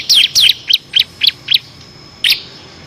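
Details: A bar-winged prinia, kept as a master singer for competition birds, delivers a short phrase of ngebren song with six variations: quick descending chirps that slow into evenly spaced sharp notes, then one last call.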